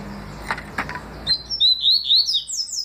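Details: Papa-capim seedeater in 'tui' song, 2020: after two soft clicks, a quick string of high upward-sweeping whistled notes climbs into brighter, slightly buzzy slurs, loud and clear against a quiet background.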